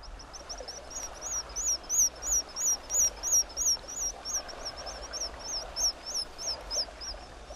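Black Guillemot giving thin, very high whistled squeaks, about three a second in a steady, pulsing series, over a soft hiss.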